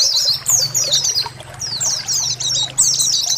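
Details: Small Oriental white-eye giving rapid "ciak ciak" calls, used as a lure and therapy sound: dense high thin twittering chirps, fast overlapping descending notes in bursts, with a faint low hum beneath.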